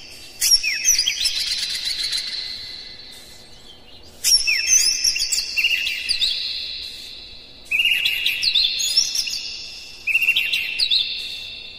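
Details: Kacer, the Oriental magpie-robin, in dense, hard bait song used to provoke other birds into singing; four strong phrases roughly every three and a half seconds, each opening loudly with sharp whistles and a buzzy trill, then fading.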